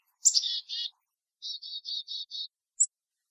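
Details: Black-capped chickadee in a backyard with bird feeders giving its chickadee-dee-dee call: a sharp high opening note and a couple of rough buzzy notes, a pause, then five evenly spaced buzzy dee notes, ending with one thin high chip.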